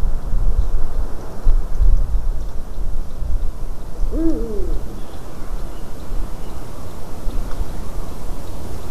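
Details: Single hoarse rising-and-falling call from a Eurasian eagle-owl in a white-tailed eagle's nest, 12 March 2019, 18:26, heard midway through amid rumbling low background noise.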